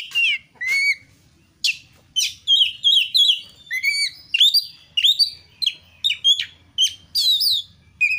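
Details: Kacer, the Oriental magpie-robin, in full gacor song meant to prompt other birds to sing: rich varied whistles, upslurs and rolling phrases delivered in dense bursts with brief pauses, over faint low hum.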